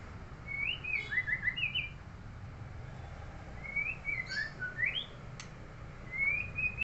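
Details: Murai, a neighbour's kept songbird, singing in short bursts of bright whistled, warbling phrases with rising and falling slurred notes, three runs of song separated by brief pauses, over a low steady background rumble.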